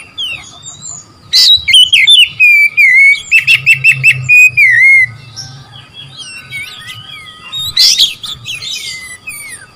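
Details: Oriental magpie-robin singing to stir up rivals: a harsh burst, then a rhythmic series of about ten quick repeated whistles. Softer scattered chirps follow, with another harsh burst near the end.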